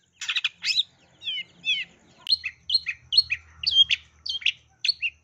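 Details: Long-tailed shrike giving a sparrow-mimicking song meant to prompt other shrikes to sing: a few harsh notes and downslurred whistles, then evenly spaced sharp two-part chirps about twice a second over a faint low hum.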